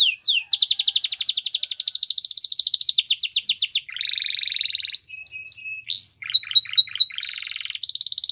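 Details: Canary training song made of distinct phrases: a long fast buzzy trill, a lower rolling tour, clear short whistles repeated four times, and a rising sweep ending in a steady high note.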